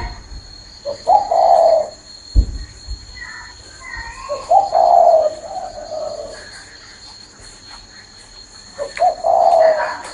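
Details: A spotted dove perched on a person's hand keeps cooing. Three low, mellow, hollow coo phrases come about four seconds apart. A steady high electronic whine runs underneath, with one dull thump near the start.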